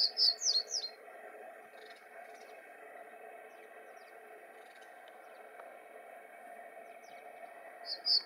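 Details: A common reed bunting sings early in the morning in April 2020: a brief, jerky phrase of a few high chirps, then a pause of several seconds before starting again, over a steady low background hum.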